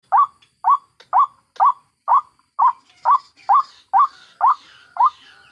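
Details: White-breasted waterhen ngekek call, taken from adults and chicks in the wild and used as a trapping lure: a steady series of short, nasal, slightly rising notes, about two per second, with faint higher hiss in the second half.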